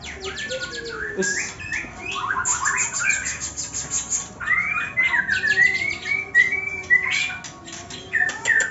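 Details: White-rumped shama (murai batu), either a cataract-affected bird or one formerly 'cabul', with choppy 'ngetrek' song: raspy chatters and clicks, then a run of clear rising whistled notes, amid faint background music.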